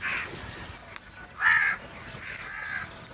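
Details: Crows in a fight over food: one strong, rasping caw stands out in the middle, with a weaker harsh call before it and a softer one trailing after, over a quiet background.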